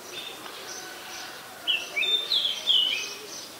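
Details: Oriental magpie-robin singing in Ubon Ratchathani, Thailand, on 20 September 2022, captured with a Nikon P1000; soft distant bird chirps give way to a burst of bright, varied whistles, sliding and warbling over roughly two seconds.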